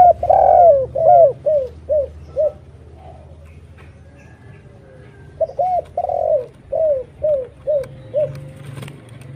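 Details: Spotted dove lure cooing meant to attract other doves: a run of soft arched coos that fades, a quiet gap of about three seconds with faint low background hum, then another phrase of similar coos.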